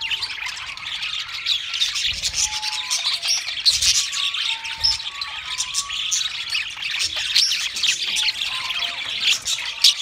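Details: Budgerigars kept at home sing in a continuous chattering chorus of scratchy warbles and sharp chirps, threaded with short pure whistled notes and occasional low thuds.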